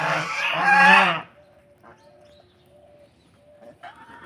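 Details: Domestic geese from Netrokona, Bangladesh, kept at a home in Tangail during their egg-laying season, giving a loud, harsh, rising honk of about one second that warns off unfamiliar people, followed by quiet faint tones and soft noises.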